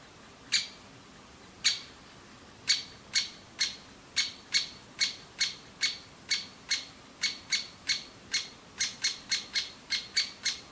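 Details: Great spotted woodpecker young begging incessantly and loudly for food in a nest hole in a big old aspen; sharp high chirps, sparse at first, then a steady train of about two per second quickening toward the end.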